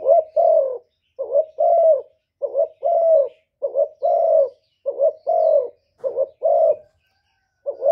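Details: Spotted dove, 'thổ thúc' style coo and call meant to provoke rivals. Dense regular series of low mellow phrases, each a quick double hoot joined to a drawn-out coo, about seven phrases with brief silences between.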